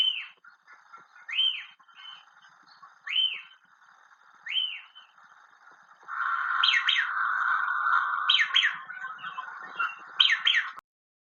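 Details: White-crested Elaenia in central Chile, a bird named for its song, gives clear rising-then-falling whistled "fío" notes about every one and a half seconds, then more rapid paired notes, over a steady background hiss.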